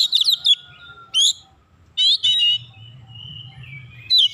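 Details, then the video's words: Oriental magpie-robin belting out gacor song to trigger other magpie-robins: opening chattering whistles, a sudden bright burst, then two long harsh twittering phrases trailing into a thin sustained whistle, over a low background hum. "KACER LAIN CEPAT TERKOMPORI MEMANAS GACOR BUKA PARUH BONGKAR ISIAN"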